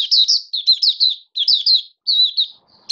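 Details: Oriental white-eye, a hobby cage bird, 21 October 2022, first day on a song-display booster: short clusters of two or three bright high chirps, each cluster separated by brief silences, in a clean quiet setting.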